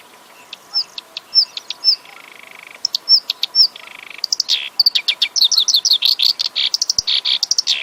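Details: Varied black-browed reed warbler song: sharp upslurred whistles alternating with flat buzzy trills, building into a fast, continuous chattering stream of high, squeaky notes.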